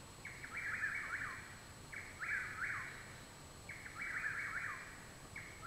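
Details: Nighttime song of a Chuck-will's-widow in Parkersburg, West Virginia, 21 June 2019, behind a home; repeated quick whistled phrases, about three and a half, slurring downward at the end, with constant faint hiss behind.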